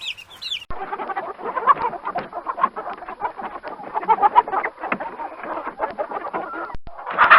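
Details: Domestic chickens, farm animals raised and tamed by humans, clucking together: dense, overlapping throaty clucks and murmurs run continuously, with a few sharp clicks and a high squeal at the very start and end.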